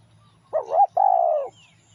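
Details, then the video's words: Single spotted dove song phrase used as a lure: a short rising-and-falling wavering coo, a brief gap, then a longer, steady, slightly descending hollow coo. "tiếng chim cu gáy mồi kích bổi nhanh nổi cực mạnh"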